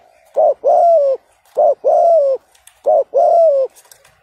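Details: Spotted dove decoy calling to provoke a rival: a short note then a long, steady, slightly falling coo, the pair repeated three times at about one-and-a-half-second intervals.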